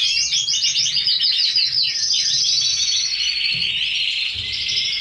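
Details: Red canaries, caged, singing a continuous rapid warbling song of fast repeated trills and chirps, high-pitched, with several birds overlapping; steady loudness throughout.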